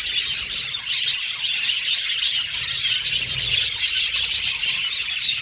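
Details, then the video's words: Male violet budgerigars chirping in an aviary colony, giving a continuous shrill twitter with occasional louder squeals and short upward whistles. "Beautiful budgies chirping sound"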